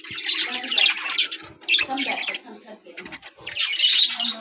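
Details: Budgerigars of red-eyed, yellow and sky-blue colour varieties at breeding season start, when laying eggs, give bursts of harsh squawks and warbling chirps, with soft low voices faintly beneath.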